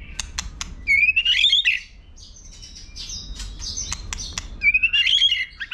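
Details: Fighting song of a white-rumped shama: high, rapid rising trills repeated twice with a quieter, buzzy stretch between them, plus scattered sharp ticking clicks.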